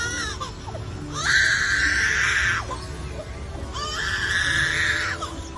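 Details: A superb lyrebird, found only in forests along Australia's southeast coast, mimics a crying baby: two drawn-out, wailing cries, each rising, holding steady, then dropping away, with soft music underneath. Superb Lyrebird.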